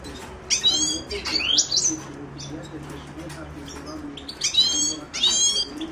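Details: Himalayan goldfinch (Carduelis caniceps) singing: bursts of bright, twittering, buzzy notes with fast frequency sweeps, in two phrases separated by a quieter pause, with a low background hum.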